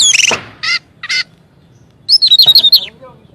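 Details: Orange-headed thrush song used as a lure to get other birds answering. Varied high whistled phrases with harsh chattering notes, then a rapid trill of bright repeated notes.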